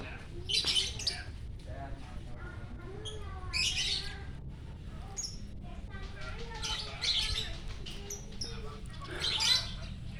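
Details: Lovebird, a prized contest bird, singing in the morning at Parahyangan Village, Jatihandap, Bandung; shrill, squeaky chattering bursts recur every two to three seconds over a steady low rumble, with some lower warbled notes between.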